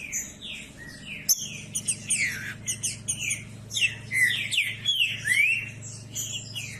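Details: Green-winged saltator singing to rouse other saltators into song, sharp slurred whistles and rising glides packed densely together, some phrases overlapping, over a constant low droning hum.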